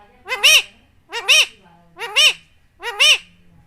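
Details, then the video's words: Indian ringneck parakeet kept as a pet talking bird, repeating a short harmonic-rich syllable four times at about one-second intervals, arched and speech-like, in a quiet room. "Talking Parrot very smart"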